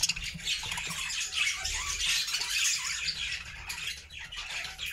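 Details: Happy flock of pet budgerigars singing in a new homemade cage: dense high chattering, squawks and chirps overlapping continuously, with a faint low rumble beneath.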